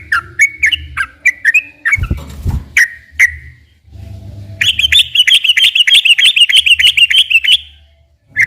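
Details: Yellow-vented bulbul singing, used as a lure for captive birds: quick whistled notes, a loud knock and brief gap, then a fast bright trill of many rapid repeated notes, with low background rumble.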